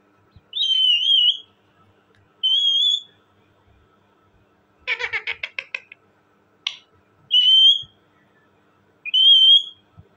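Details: Talking parrot alternating drawn-out wavering whistles with a burst of fast rattling chatter and a sharp single note, whistles returning every couple of seconds.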